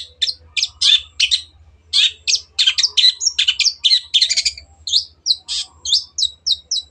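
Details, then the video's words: A long-tailed shrike (Lanius schach) pours out a fast, scratchy, clear song of varied buzzy chatters and short whistled notes in quick bursts, over a faint low hum, offered as a master song for other birds to imitate. "MASTERAN BURUNG CENDET GACOR"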